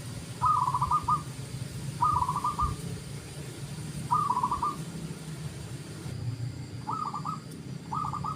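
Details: Zebra dove song used to prompt silent doves to sing and for luring: faint, rapid trilled coos near one pitch, phrases repeated about every two seconds over a steady low hum.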